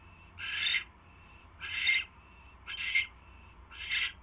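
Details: Night recording of an owl pair on 24 January 2016, the male bringing a third mouse to his mate; four grating, breathy screeches spaced about a second apart.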